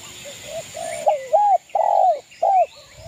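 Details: Spotted dove, a vocal local East Javan bird used to provoke rival males, giving soft low coos that build into three loud, arched, hollow coo notes in quick succession, steady electronic hiss in background.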